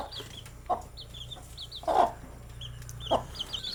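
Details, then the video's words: Newly kept baby chicks peeping softly: thin high notes sliding downward, spaced roughly every half second, with three louder low clucks breaking through. "Cute Baby Chicks with chirping sound"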